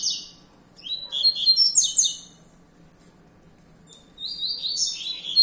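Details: Young captive double-collared seedeater male, raised for breeding and fibra contests, gives a quick warbling run of sharp high chirps and buzzes, a short silence, then a rising whistled phrase; low background hum throughout.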